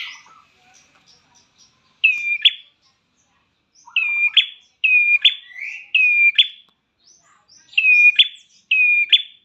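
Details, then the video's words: Prinia lure calls for caged birds, known locally as prenjak klawu: after a quiet start, a series of high whistled notes each ending in a buzzy crack, given in irregular bursts with short silences between. "Pancingan Prenjak Klawu"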